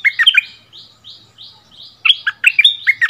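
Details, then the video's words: Bulbul decoy bird brought back to its old area, dueling in doubled song with a new resident territory holder, February 2021: bubbly, warbled phrases of quick rising and falling notes, with softer lines of fainter notes in between. "เสียงนกดอกแตงEp.30 คืนถิ่นเก่า!!ดวลเพลงเบิ้ลกับเจ้าถิ่น"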